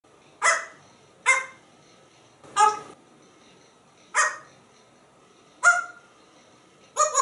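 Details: African grey parrot, a pet hatched in 1997 living indoors in a home in Texas, imitating a dog: six short harsh bark-like bursts spaced about one to one and a half seconds apart, in a quiet room.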